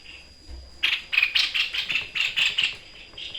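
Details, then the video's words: White-chested babbler (sniper bird) singing in vigorous 'shooting' style: a steady string of harsh, rasping rattle notes, around four each second, sustained through most of the clip with a faint background hum. "FULL TEMBAKAN MAUT TEPUS DADA PUTIH GACOR || Burung SNIPER"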